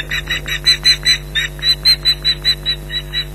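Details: Ospreys shouting at an intruder from their nest at Loch Garten, mid-July 2011, mid-morning. Harsh, high yelping notes, about fourteen in three seconds, some louder than others, over a faint steady hum.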